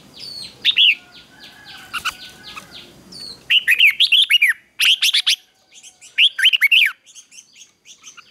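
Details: Red-whiskered bulbul morning fighting song used to excite wild-caught birds: repeated lively phrases of slurred, warbling whistles following an opening of scratchy background calls and hiss.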